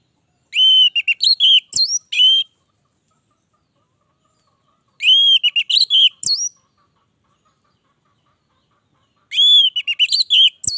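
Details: Orange-headed thrush in lively, long-running song: three similar phrases about four seconds apart, each a loud whistled note followed by quick, varied slurred whistles and sharp upward flicks.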